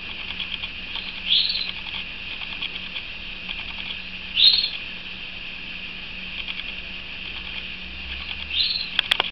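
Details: A pet canary sings a steady, high, rolling stream of trills, with brighter chirps standing out about every three to four seconds over a faint low hum.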